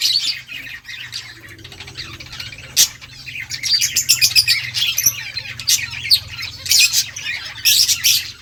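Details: Rose-ringed parakeet feeding on green leaves, producing bursts of high shrill chirps and squeaks in irregular clusters, louder toward the end, over a faint low hum.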